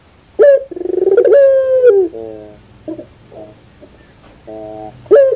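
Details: Puter dove giving a rolling pulsed coo and a long held note, then softer broken low phrases and a final sharp note. A faint low hum runs underneath.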